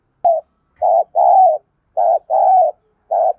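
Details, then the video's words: Rapid run of coos from a decoy spotted dove, thúc bổi style, for drawing wild doves into calling: short clipped notes alternate with longer drawn-out ones, in quick, slightly irregular succession. "tiếng cu mồi thúc bổi này thì chim mới xiêng gáy"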